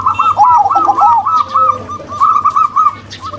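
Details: Crossbred male and local female zebra doves coo together in a dense, rolling stream of rapid arched notes. The overlapping lower phrases fade into lighter, evenly spaced coos.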